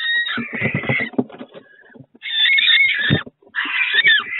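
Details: Barn owl in its nest box during a week in May: rasping screeches with a tonal edge, broken by a burst of clattering, scuffling sounds from inside the box.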